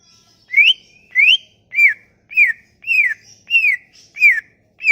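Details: Lure song of a Sumatran leafbird meant to draw out leafbirds that have stopped singing: eight clear whistled notes repeated steadily about every 0.6 seconds, the first ones rising, later ones arching and falling, with thin high whistles between.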